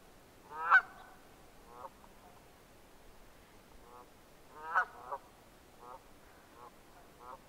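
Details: Red-breasted merganser calling: two strong nasal, honking bursts four seconds apart, followed by a series of softer, shorter harmonic notes, with a quiet backdrop.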